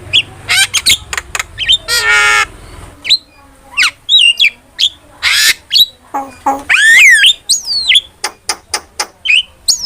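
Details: Starling lure and master recording for training songbirds: a varied, loud medley of sharp chips, a long buzzy nasal rattle, squeaky rising and falling whistles and wavering slurred notes, delivered in quick succession.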